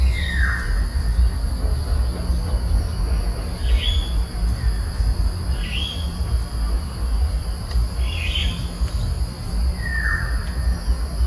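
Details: A Sunda pygmy woodpecker foraging on a tree, recording slowed down, gives five short, sharp downslurred squeaks about every two seconds, over steady high insect hum and low rumbling background.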